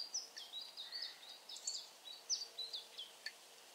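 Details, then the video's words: Siberian chiffchaff (Phylloscopus collybita tristis) singing in Bremen, Germany, on 22 October 2022: a quick, irregular run of thin, high chirps and slurred sweeping notes, some dipping and rising, over a faint steady low hum. "singing Taigazilpzalp / Siberian chiffchaff (Phylloscopus collybita tristis)"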